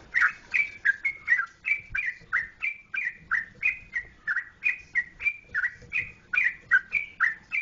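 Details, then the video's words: Yellow-vented bulbul, a Jogjakarta trucukan, sings a fast run of short, bright whistled notes. They alternate higher and lower at about three per second, each note slurred and slightly rough, with no other sounds. "Trucukan Jogjakarta"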